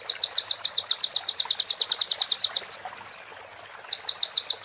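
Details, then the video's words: Sunbird (konin) training recording with prinia phrases worked in: a rapid run of sharp, high, evenly spaced notes for nearly three seconds, a brief thin whistle and pause, then the fast string resumes. "MASTERAN KONIN FULL ISIAN PRENJAK BETINA SAMBUNG CIBLEK BREN JERNIH JEDA ORIGINAL DARI SUARA KONIN"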